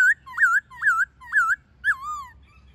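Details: Forest-style song of a white-cheeked laughingthrush, recorded with a female for training caged birds: four clear whistled phrases, each dipping and rising, about one every half second, ending in a longer falling whistle.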